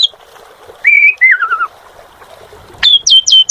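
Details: Asian pied starling, known as jalak suren, whistling clear sustained notes that step downward, then after a pause a quick series of sharp, high, descending whistled calls.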